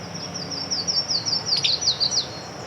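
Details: Yellow-throated Warbler singing overhead at Blue Hole, Wimberley, a quick run of about a dozen high, sweet slurred notes stepping downward over two seconds, over a soft steady background rush.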